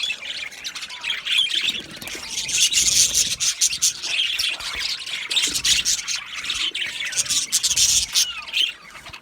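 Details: Budgerigars in an aviary colony: dense, continuous chatter of overlapping high chirps, squeaky squawks and warbling notes from many birds at once, rising and falling in loudness without pause.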